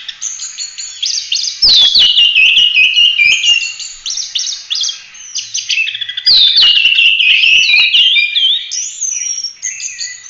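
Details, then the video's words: Oriental magpie-robin, full-roll 'tembak' song for teaching other birds: continuous high, scratchy warbling with descending whistled slurs and bursts of sharp ticking clicks. "Kacer gacor ful roll tembak cocok buat masteran"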